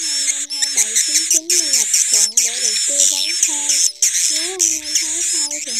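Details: Calls meant to draw edible-nest swiftlets into their house: a steady high shrill chatter with sharp squeaky accents, beneath which bending mid-pitched whistles rise, fall and flatten.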